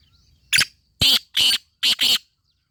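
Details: Black francolin (Sindhi teetar) delivering one complete grating phrase of five loud, buzzy notes: a short first note, two longer harsh notes, then a quick closing pair, all within about two seconds.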